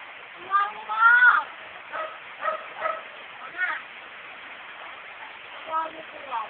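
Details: Female pet myna copying everyday household talk delivers a voice-like drawn phrase followed by a run of short rhythmic speech-like syllables with pauses, in a quiet indoor setting.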